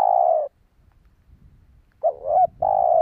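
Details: Spotted dove call meant to lure wild doves. It opens on the tail of a long falling coo. After a gap with faint low rumbling comes a fresh phrase: a wavering two-note coo and another sustained note.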